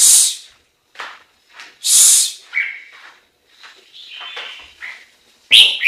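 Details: Varied singing from a Chinese hwamei, mixing sharp high-pitched bursts with lower warbled and whistled notes in an irregular, chattering sequence.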